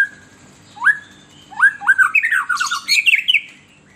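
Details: White-rumped shama lure song for agitating captive birds: a few separate rising whistled notes, then a dense, harsher jumble of squawky and warbled phrases, fading out at the end.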